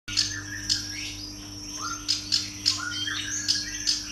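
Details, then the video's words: Female bar-winged prinia calling: short, sharp, high chirps and brief buzzy notes, irregularly spaced about every half second, over a steady low electrical hum. "suara panggilan betina kerak basi alis hitam"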